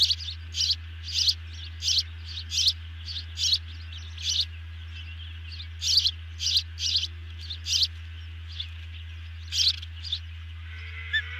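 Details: Ospreys at the nest at feeding time, evening of 18 June 2020, on a nest camera. Long run of piercing chirps, about two per second, with brief pauses. Low electrical hum underneath, and a faint whistle near the end.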